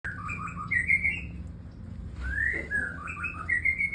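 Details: White-rumped shama, a captive breeding adult kept after moulting, singing clear whistled notes that slide between low and high pitches in short phrases, with a brief pause mid-clip before the phrases resume; a low background hum.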